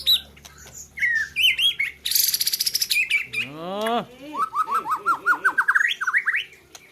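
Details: White-rumped shama from Gayo, Aceh, singing at a bird competition: varied song mixing clear whistles, a buzzy burst, falling slurred notes, then a fast series of rising chirps, with a man talking nearby.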